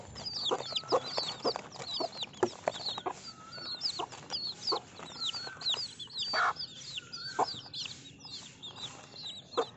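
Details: Baby chicks peeping: a busy chorus of high, thin, rising and falling peeps from many birds, overlapping continuously, with occasional lower single notes and steady background hiss.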